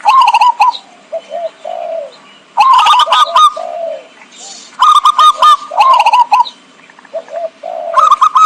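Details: Zebra dove lure call for trapping birds: bursts of quick clicking notes that roll into level and softly falling coos, the phrases returning every two to three seconds with quiet gaps between.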